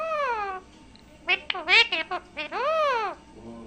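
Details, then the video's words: A talking pet parrot, possibly a ringneck, talks in short, speech-like bursts with shrill, harmonic-rich syllables, including a long drawn-out falling note. "bolne wala tota"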